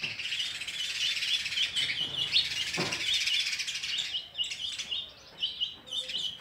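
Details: Sparrow chicks begging while a parent struggles to feed them oversized food; rapid, continuous high chirps, about two per second, loud and insistent, fading into sparser notes toward the end.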